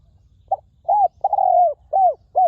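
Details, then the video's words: Wild forest spotted dove used as a ground decoy, praised for its clear, resonant voice: a short note, then a gliding coo, a long drawn-out coo and two further downslurred coos, all on a mid-low pitch over faint rumbling background. "นกเขาใหญ่ต่อดิน [เจ้าสามส้มหยุด] EP11 นกป่าคารมเสียงดี กังวานมาก"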